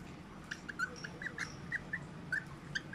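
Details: Whiteface lutino cockatiel calling during mating: a series of soft, short, high chirps repeated irregularly several times a second, over a steady background hiss.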